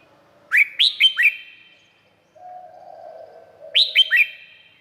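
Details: Two quick bulbul phrases, each four stepping whistled notes, from a Red-whiskered bulbul recorded in Thailand; a soft low murmur fills the gap between them.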